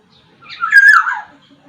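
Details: Black-naped oriole, Sumbawa variety, with a single rich, slurred whistle that swells then falls away, in a quiet setting.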